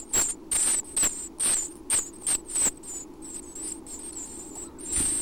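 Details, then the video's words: Six week-old Chestnut-backed Chickadee chicks in a nest box at Half Moon Bay, California, begging at about 6:30 AM as both parents feed them. Thin, high squeaks come in quick bursts, with bumping thuds and a low ocean roar beneath. "Breakfast time in Chestnut-backed Chickadee Nest"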